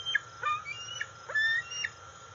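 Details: Juvenile bald eagle, about 131 days old, calling for food near its nest in August as a parent arrives with a fish; a series of short high squealing notes with quick downward slurs, some longer drawn whistles, over steady insect hum.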